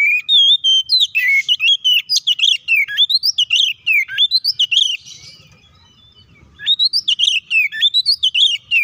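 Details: Oriental magpie-robin pouring out a provoking fighting song: dense strings of sharp, upward-swept whistles and chattering notes, interrupted by about two seconds of near silence before the rapid phrases resume.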